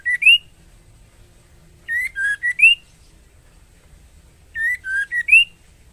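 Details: White-rumped shama female in breeding condition calling for a male: phrases of three or four clear whistles, upslurred and downslurred, repeated roughly every two and a half seconds, nothing else audible.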